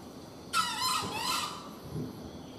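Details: A wild junglefowl during a hunt gives a very long, strained, squealing crow of about a second, high and slightly falling in pitch, over a quiet background; the bird then fell when shot.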